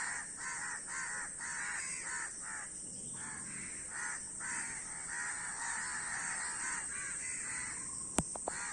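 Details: Many crows cawing in a rough overlapping chorus, hoarse calls about twice a second, with a couple of sharp clicks near the end.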